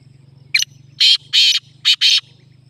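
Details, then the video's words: Black francolin calling: five loud, harsh, grating notes in quick succession, the middle ones longest, delivered within about two seconds, over a low steady mechanical hum. "کالا تیتر|| بہت خوبصورت آواز"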